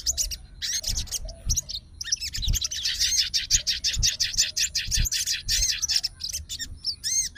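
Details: Excited fighter sooty-headed bulbul reacting straight away to bulbul calls, challenging an opponent: a long, busy stream of rapid high chatter and looping whistled slurs, with soft bumps in the background.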